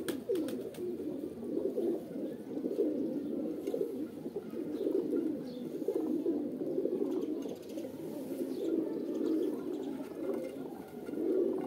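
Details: Several pigeons coo together as a mating call, giving a continuous low, burbling murmur of overlapping rolled coos with slight swells in loudness and brief clicks early on.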